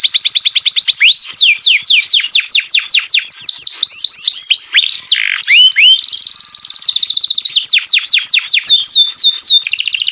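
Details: Melodious green canary in song, kept as a pet: cascading downward whistled sweeps repeated quickly, interspersed with short rolling trills and a buzzy rattle, then a rapid chattering trill; loud, continuous and very high.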